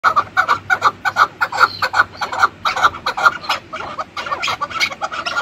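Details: A chukar partridge (Alectoris chukar) gives a rapid series of hoarse, mid-pitched clucks, several per second, in an even, steady rhythm.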